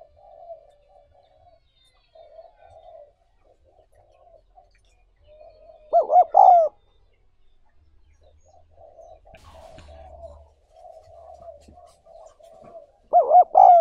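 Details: Spotted dove calling for the training of newly caught wild decoy birds: soft, low cooing murmurs run throughout, broken twice by a loud, quavering double coo about seven seconds apart.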